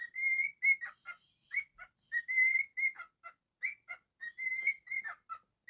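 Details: Whistling pet cockatiel: a steady stream of pure, level whistles mixed with quick chirps and clipped notes, phrases running almost without a break in a quiet setting.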